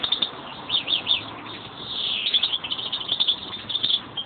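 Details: A caged pair of European greenfinches. Buzzy, twittering song high in pitch, with a short run of quick trilled notes early on, then a drawn-out wheezy, rasping stretch, followed by further chattering twitters.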